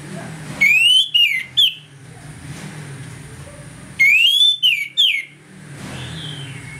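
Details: Morning ngeplong song of an Orange-headed thrush, played to provoke rivals into aggression: two bursts of loud rising whistles followed by quick sharp descending notes, separated by about three seconds of quiet with faint background hum.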